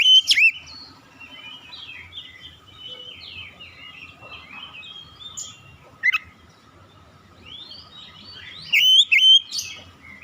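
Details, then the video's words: Varied magpie-robin song with a loud whistled flourish at the start, soft rambling warbled notes through the middle, a single sharp note, then another bright burst of twisting whistles. "KICAUAN INDAH BURUNG KACER"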